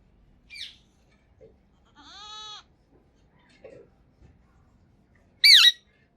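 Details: Green talking parrot from Pakistan, kept indoors: a faint rasping note, then a steady, tonal, half-second whistled call, soft clicks, and finally one loud, harsh, wavering squawk near the end.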